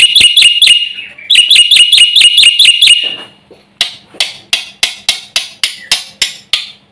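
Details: Nonstop mimicry-laden song of a Black-winged myna, meant to provoke other birds: two bursts of fast, sharply pulsed harmonic notes, then about nine separate dry, scratchy strokes spaced roughly half a second apart.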